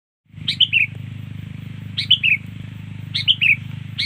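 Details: Sooty-headed bulbul song used as a lure for birds: short bright phrases of two or three quick falling whistled notes, repeated about once a second, over a steady low hum.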